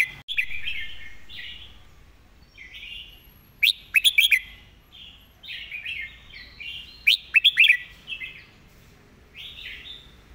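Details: Song of a Red-whiskered bulbul in a fast, repeated master-phrase style: soft warbled notes lead into two bursts of sharp, ringing chirps several seconds apart, with quieter fluty phrases between.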